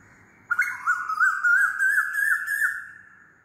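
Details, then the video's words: Asian koel giving a loud whistled call, a sustained note with quick wavering undulations that climbs slowly, then fades out. "LOUD KOYAL CALLING"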